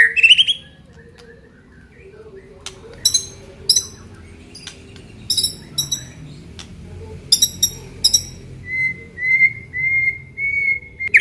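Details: Aceh white-rumped shama singing isian fill-in phrases: scattered very high clicking, ringing notes with pauses, ending in a series of steady, level whistles repeated about once a second.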